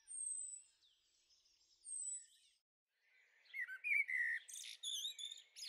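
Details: Young common blackbirds in a garden on the Veluwe, Netherlands, 30 April 2014; thin high drawn-out whistles at first, a pause, then a busy burst of chirps, slurred notes and sharp ticks.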